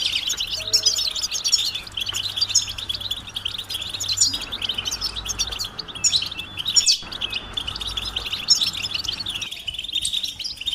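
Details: Long stretch of European goldfinches giving mating and readiness calls to rouse males into song, a ceaseless high twittering of crisp chirps and rolling trills, with short dips and gaps in the recording.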